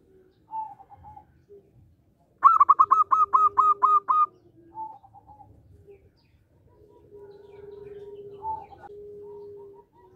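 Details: Local zebra dove, an active singer with a clear rhythmic voice, used as a lure for catching birds: soft low cooing notes and short higher calls, a sudden loud run of eight rapid chirping notes, then long steady humming coos.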